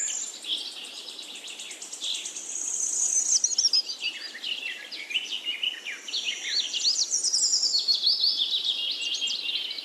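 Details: Birds twittering continuously: fast, high, rapidly varied chirps and short slurred whistles overlapping in a lively chorus, with a soft hiss underneath throughout.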